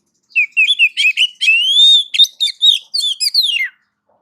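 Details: Oriental magpie-robin (kacer) masteran song: a fast, varied string of bright whistled chirps and a drawn-out rising whistle, then a run of descending slurred notes. Clean, with no background sound.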